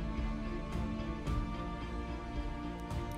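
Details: Steady instrumental music plays throughout, with no animal sounds heard.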